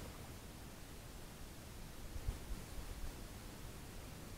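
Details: Faint, steady low rumbling noise with soft rustling and no animal calls.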